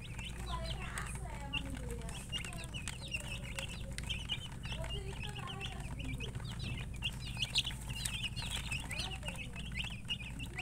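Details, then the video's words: Hen-coloured chicken giving many short, high chirps in rapid, irregular series over a steady low hum and background noise. "silly chicken chirping sounds with murgi hen color chicken"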